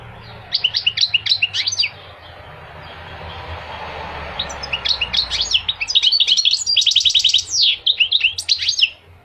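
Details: Goldfinch song in long runs of quick, sparkling twitters and trills, broken by a quieter stretch with background hiss before the twittering resumes.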